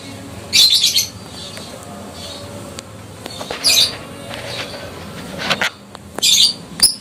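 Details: Adult fighter lovebird giving a ngekek call, used to provoke silent lovebirds into answering. Three harsh, shrill, high-pitched chattering bursts, each about half a second long and spaced roughly three seconds apart, over a low steady background hum.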